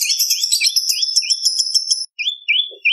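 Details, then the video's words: Bar-winged prinia, recorded as a lure and training song for cage birds, giving a dense, jumbled burst of high twittering notes for two seconds, followed by a few separate slurred whistles. "Prenjak Lumut Gacor ! Variasi Suara For Murai C Ijo Cungko / Pancingan Prenjak Gacor /Suara Pikat"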